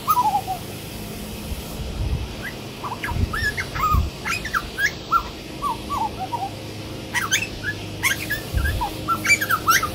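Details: A grey butcherbird, singing for five or ten minutes, gives rich, fluted piping notes, some rising and some falling, in loose, scattered phrases. Low rumbling thumps sound underneath.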